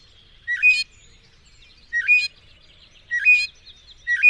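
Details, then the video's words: Mockingbird (cenzontle) singing: short bursts of varied chirps and a bright, level whistled note, repeated about every 1.3 seconds against a quiet background. "El Hermoso canto del Cenzontle"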